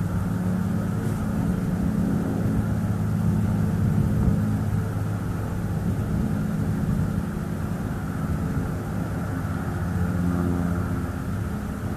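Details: Low rumbling traffic or aircraft-like noise with steady hum fills the recording at a bald eagle nest in northeast Florida; no animal calls stand out.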